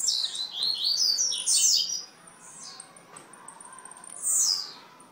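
A blue-black grassquit gives high, buzzy, tumbling bursts of song, a run of rapid notes at first, then a second sharp phrase after a short pause.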